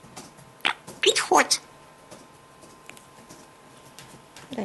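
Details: A pet parrot, prompted to sing and dance, gives a quick burst of bright, sliding whistles and squeaky, speech-like chatter, then goes mostly quiet in a small, still room.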